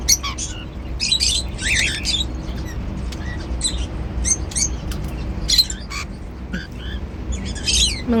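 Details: Pet cockatiels chirp and squawk while eating seeds, short raspy notes and small whistled slurs scattered irregularly across the stretch, with a low constant hum.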